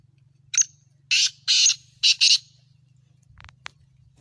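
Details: A black francolin, called a Sindhi patha, delivers a grating call of one short note, two long harsh notes and a quick double rasp, followed by faint clicks and a steady low hum.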